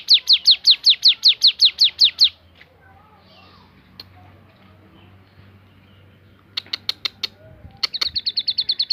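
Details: Bar-winged prinia (ciblek gunung) giving its 'tembakan' song variation: a quick burst of about eleven high, shrill notes, then four seconds of near silence, a few scattered sharp notes, and a final fast, thinner trill.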